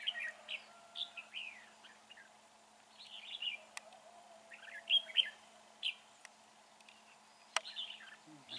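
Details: Red-whiskered bulbul singing in a fighting trap on a dark, overcast day with north wind: lively chirpy, slurred phrases repeated every second or so, plus two sharp clicks.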